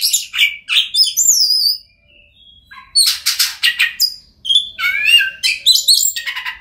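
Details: Oriental magpie-robin song intended to make silent magpie-robins sing: loud bursts of varied sharp notes and falling whistles, broken by two short pauses, then scratchy rapid phrases and rising whistled notes.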